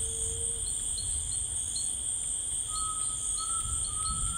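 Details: Tinamou song in rainforest: a short lower whistle at the start, then a longer pure whistle that climbs gradually near the end, with dense insect chorus throughout.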